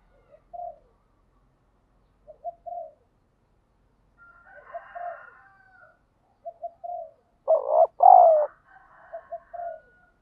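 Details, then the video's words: Spotted dove call used to stimulate a decoy bird and provoke fighting: repeated pairs of short low coos, a faint higher rasping sound in the middle, then two loud, strong coo notes and more soft coos. "chim cu gáy thúc đấu, tiếng chim cu gáy kích bổi rất lẹ nổi, tiếng chim cu gáy luyện mồi hàng ngày"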